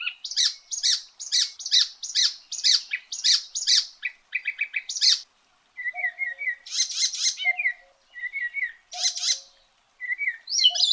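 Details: Icterine warbler (kerak basi eropa) song opening with a fast series of repeated harsh chattering notes, then phrases mixing whistles, buzzy bursts and low hummed tones separated by short pauses.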